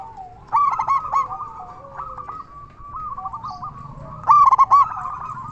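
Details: Local zebra dove with a big voice, used as a lure so other zebra doves start singing. A loud rolling coo phrase opens, softer cooing follows, then another strong burst near the end.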